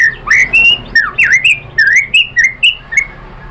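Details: Loud whistled song of a white-rumped shama, played to spur rival birds to sing, made of a rapid series of short upslurred and downslurred whistles repeated about three times per second.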